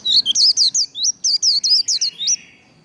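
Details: White-eye delivering fast 'líu đấu' fighting song meant to stimulate singing: a lively run of about a dozen high, curling whistled notes at an even brisk pace, fading out at the end.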